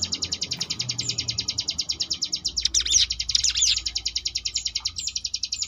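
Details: Sunda bush warbler in the ngebrem variation, recorded to train contest birds: an even, rapid string of high buzzy pulses, interrupted near the middle by a burst of sweeping chirped notes, then the pulsing trill resumes.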